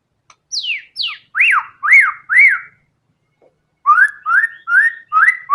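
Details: Gacor white-rumped shama delivering isian in full fighter style. Two steeply falling high whistles, three loud up-and-down whistled notes, a short pause, then four evenly spaced rising whistles.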